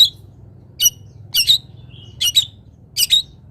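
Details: Long-tailed shrike sound meant to train other birds: harsh, squeaky double notes spaced irregularly, with a thin whistle between, over low background hum.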